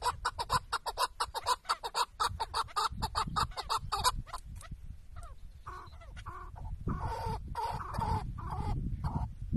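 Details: Tethered chukar partridge used as a hunting decoy in Şırnak, Turkey, gives loud, rapid clucking notes for the first four seconds, then falls into irregular calls mixed with rustling and handling noise.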